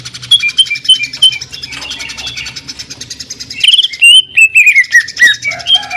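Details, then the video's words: Greater green leafbird song, jamtrok with tembakan and a sewing-machine sound. Soft, rapid high ticking gives way to a loud burst of sharp, falling, whistled notes, each quickly repeated. "CUCAK IJO JAMTROK TEMBAKAN SUARA MESIN JAHIT"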